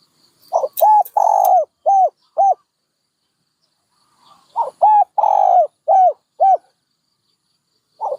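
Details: Dove repeating its cooing phrase twice, about four seconds apart, each with a stuttered opening, a long rippling coo and two or three short arched hoots; brief high clicks near the start.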